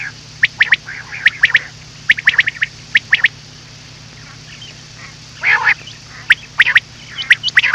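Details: Common quail, recorded as a night hunting lure, repeating quick clipped three-note phrases, with a brief harsher burst in the middle and a steady electrical hum throughout.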